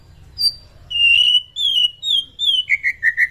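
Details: A white-rumped shama sings in the morning to raise other shamas' fighting spirit. Long, high, pure whistles, each slightly lower, lead into a quick series of short rising whistled notes.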